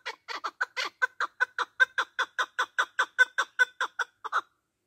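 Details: Partridge call for luring birds to hunt, from a male; a rhythmic series of about twenty raspy clucks, building then holding steady before stopping abruptly.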